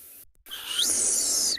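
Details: A violet-backed starling gives one thin, harsh squeal that climbs sharply, then holds high and buzzy for about a second, on a cloudy, drizzly morning at Ngala or Phinda game reserve, South Africa, 2 November 2020.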